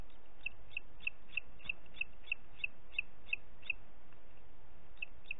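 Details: Booted eagle in Parc Natural dels Ports, 30 June 2021 at 11:01: a long series of short, high, sharp pips, about three per second, over a steady low rumble of background noise.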